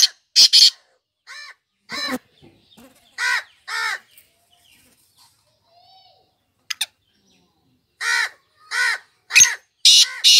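Black francolin giving loud, harsh, grating notes, mostly in pairs and short bursts spaced a second or so apart, with quiet gaps between phrases.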